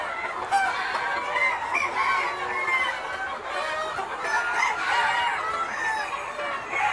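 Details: Daytime flock of Noi, bantam and crossbred chickens roaming a broad yard: many hens cluck at once, with sharp short squawks and occasional longer calls in a continuous, lively din.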